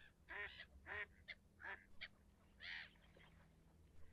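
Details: Harsh, honking cackles from a leucistic red-throated diver, several loud rasping notes in quick succession, then one drawn-out croak and a few quieter calls, with a soft low hum behind.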